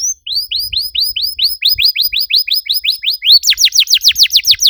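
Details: Singing canary, a recording meant to stimulate other canaries into song: a long series of rising-then-falling whistled notes, steady and rapid, shifting to louder, higher sweeping notes near the end.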